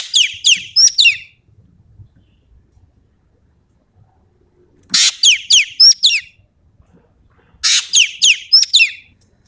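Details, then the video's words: Sumatran ekek keling in full voice with tembakan-style material: three loud phrases about every 3.5 seconds, each a harsh noisy burst followed by quick, sharply falling whistled notes, with quiet gaps between. "BURUNG EKEK KELING SUMATERA GACOR FULL MATERI TEMBAKAN"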